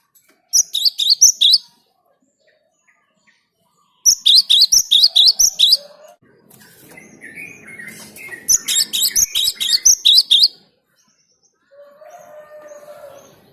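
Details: Song of a cinereous tit, used to lure birds: three separate bursts of quick, high, ringing two-note phrases, each burst lasting one to two seconds, with soft lower chirps and murmuring between them.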